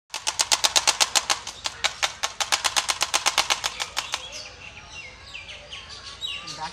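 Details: Black-necked stork rattling its bill during a dance display, a fast dry clatter of about seven sharp knocks a second for four seconds, fading out; faint small-bird chirps follow.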